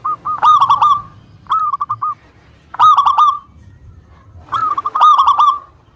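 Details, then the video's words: Lure song from an actively singing local zebra dove, aimed at making rival birds reply: rolling coo phrases roughly every one and a half seconds, alternating fuller bursts with shorter, clipped runs. "Suara Pancingan Perkutut Lokal Gacor Suara Paling disukai Memancing Lawan Langsung NYAUT"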